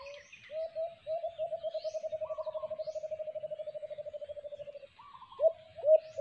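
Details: White-eared brown dove, locally alimokon, at a cage-trap site: a long, rapid train of soft low coos that runs for several seconds and tapers off, followed by two louder separate coos; another bird twitters faintly.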